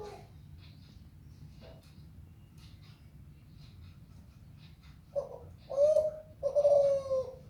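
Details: Near silence with faint low hum and scattered small noises for about five seconds, then a Kelantan zebra dove begins its melodious song with three soft, rolling coos in quick succession.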